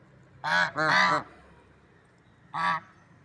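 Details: Swans in nature give three nasal, harmonic honks: two close together, a pause of over a second, then a single shorter honk. Faint background hiss.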